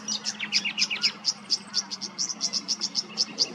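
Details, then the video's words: Tawny grassbird in Queensland wetland, Australia, calling: rapid high chipping notes about four a second, with some lower descending slurred notes early on; faint steady low hum underneath. "The most pristine sound of the Tawny Grassbird's call"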